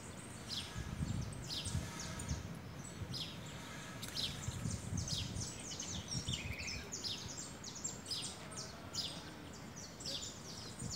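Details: Saffron finch pair in Vitória, eating cracked corn: a busy run of short, sharp, high chirps, often overlapping and quickly repeated, over steady low rumbling background noise.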